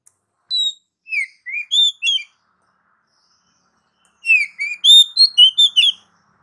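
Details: Oriental magpie-robin singing continuously: two bursts of clear whistled and slurred notes, high and varied, mostly sweeping between mid and high pitch, separated by a silent pause of about two seconds; no other sounds.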